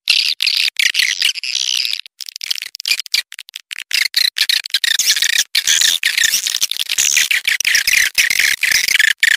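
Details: Swiftlet lure sound for attracting swiftlets: a continuous, shrill, buzzing twitter of many high chirps, choppy and dense, with an insect-like hiss throughout.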